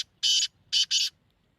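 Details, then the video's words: Black francolin calling, a sound used to bring the bird into breeding condition: one long harsh, buzzy rasp followed by two quick grating notes in a close pair, in a quiet background. "کالے تیتر کو مستی پر مجبور کرنے والی آواز | Black Teetar Calling Sound"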